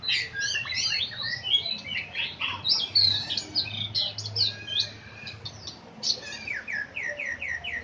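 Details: Oriental magpie-robin, known locally as kacer, singing a melodious, varied song of whistles, trills and chattering phrases. A series of evenly spaced rising whistled notes closes the passage, with a low hum in the background.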